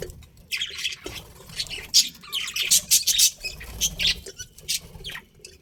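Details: Budgerigars chirping: irregular bursts of high, harsh chirps and squeaky chatter, some notes louder and sharper, over a faint rustling background.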